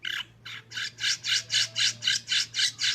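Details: Long-tailed shrike, recorded as a master to prompt shrikes to sing, giving a steady series of harsh, broad rasping notes, about three per second, over a low hum.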